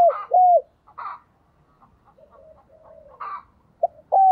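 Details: Decoy spotted dove luring wild birds across the countryside: a hooked coo opens, faint chirping and murmurs follow, and another sharp coo pair closes the phrase.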